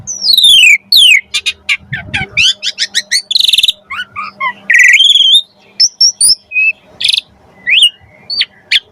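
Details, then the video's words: Song of the Javan pied starling, played as training for magpie-robins: falling whistles, a rapid stuttering chatter, a buzzy rattle, then scattered short squeaky notes over a faint low hum. "MASTERAN BURUNG KACER MATERI JALAK SUREN"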